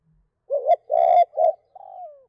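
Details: Spotted dove calling to a hen in the two-beat cooing style. Three loud, throaty, mid-pitched coos are followed by a softer drawn-out note that slides downward at the end. The background is quiet.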